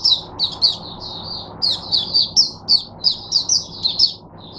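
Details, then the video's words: Caged Oriental white-eye singing as a teacher bird for other white-eyes, 22 January 2022: a rapid, high, twittering string of thin chirps and trills, about three notes a second, over a faint low hum. "Mata Puteh Diva Sunday buka sing teacher bird for my other mata putehs"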